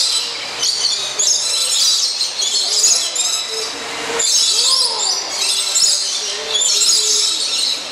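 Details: A flock of lorikeets being fed nectar at Bird Kingdom in Niagara Falls keeps up a dense, continuous chatter of shrill, harsh screeches, with a few lower whistled notes mixed in.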